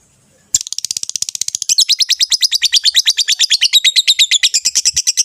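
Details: Rosy-faced and Fischer's lovebirds calling to stimulate the hen to breed. After a brief pause, a rapid, steady chatter of shrill clicking notes begins and continues without a break, growing slightly louder as it goes.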